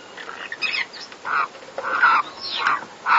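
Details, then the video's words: Pet pineapple conure parrots while mating give rough, nasal, mid-pitched squawking bursts, repeated roughly every half second, some wavering or sliding, with a steady background hiss. "Pineapple Conure Parrot Mating collections"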